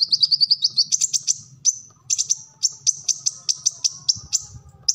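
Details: Kolibri ninja sunbird singing a full, energetic song meant for training caged birds. It opens with a rapid stuttering trill, then sharp, high, evenly spaced chips roughly every quarter second over a low hum.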